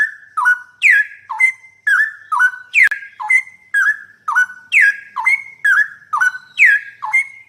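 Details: Master recording of a straw-headed bulbul's song meant to train a trucukan bird: a long run of ringing whistles, each dipping and rising before flattening into a level note, repeated rapidly and evenly, with no other sounds.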